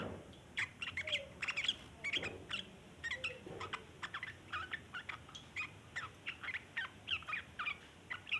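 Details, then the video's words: Lure recording of sooty-headed bulbul long chattering ('ngeriwik'): steady series of harsh, clipped note bursts roughly twice a second throughout, with occasional softer low whistles early on. "burung trucukan ngeriwik panjang cocok buat pancingan trucukan bahan"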